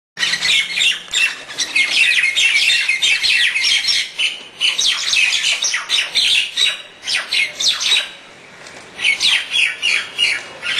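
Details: Four common (Indian) mynas fight on a terrace in the morning sun: a near-continuous torrent of harsh, raspy squawks and chatters from several birds at once, with a brief lull before the racket resumes.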